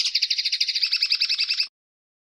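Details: Common linnet, 2016: a fast, even trill of rippling notes lasting under two seconds, buzzy and high, ending abruptly into silence.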